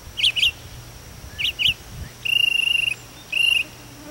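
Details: At daybreak a mockingbird sits on a chimney calling out to its friends; paired sharp chirps come first, followed by two longer steady buzzy whistled notes, with a low hum beneath.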